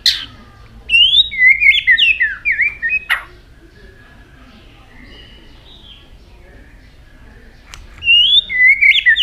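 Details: White-rumped shama varying its song and flicking its tail; an opening burst of rapid, jumbled warbled whistles, several seconds of near quiet with faint notes, then another quick warbling phrase at the end.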